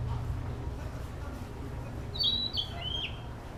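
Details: Narcissus flycatcher practising song in an urban park; after a quiet start, a brief phrase of bright whistled notes, the last slurring downward, over constant low city rumble.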